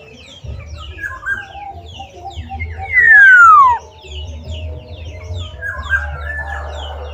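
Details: Black-naped oriole singing freely outside its cage gives one loud, fluty whistle sliding downward, over a busy background of chirps and twitters from other small birds.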